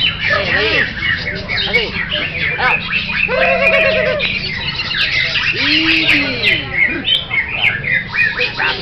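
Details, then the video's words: Greater green leafbird (cucak hijau) performing a busy, varied song of fast squeaky chatter, buzzy trills and short rippling phrases, plus a lower wavering whistle midway; background voices present. "AKSI CUCAK HIJAU"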